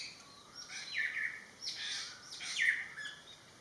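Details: Greater racket-tailed drongo, a noisy bird and daily visitor to a garden pond in western Thailand, giving varied whistled and harsh, sweeping calls, some falling, in irregular bursts over steady background hiss.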